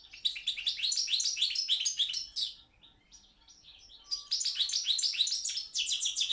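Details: Balkan goldfinch, Carduelis carduelis balcanica, competing in a world championship of goldfinch song; dense, fast twittering bursts of high trills and chirps, with a quieter, softer passage mid-way before the lively song returns.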